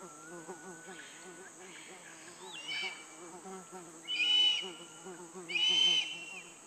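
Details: Black-collared hawk in the Pacaya Samiria national reserve, Amazon jungle of Peru; two loud, hoarse, harmonic-rich calls about one and a half seconds apart near the end, over a steady buzzing insect chorus with thin high whistles.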